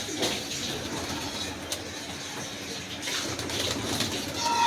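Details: Young pigeons, newly brought home from a market, let outside to sit in the sun; soft, low cooing murmurs rise over a steady hiss and faint hum, with brief clicks and rustles.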